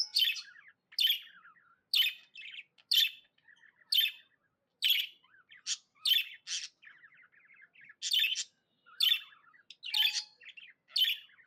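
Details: Tame budgerigar chirping happily, giving loud sharp chirps roughly once a second with soft rapid twittering filling the gaps.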